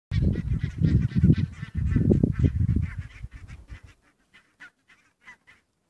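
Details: Flock of barnacle geese at RSPB Mersehead, Dumfries and Galloway: dense overlapping yapping honks and low noise for four seconds, then thinning to a few sharp, short yelps spaced apart.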